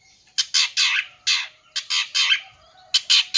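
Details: Long-tailed shrike in full-isian song, used to excite young birds. Harsh, grating screeches come in bursts of two or three, each burst separated by a short gap.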